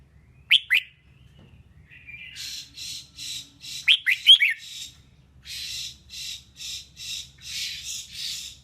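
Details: Female red-whiskered bulbul song used for stimulating males. Clipped bright chirps, a drawn whistle, another chirp run, then a long train of regular buzzy rasps at roughly two per second.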